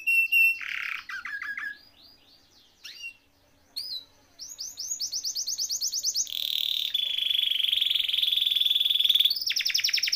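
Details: Canary song used to tutor and prompt quiet canaries: low stuttered notes and short slurs, a brief pause, then rising chirps building into loud, buzzy, rapid rolls and a final run of high chirps.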